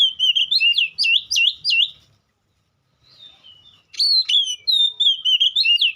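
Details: Oriental magpie-robin giving repeated sharp, swinging whistles in a burst, falling silent for nearly two seconds, then resuming with longer warbled, wavering phrases.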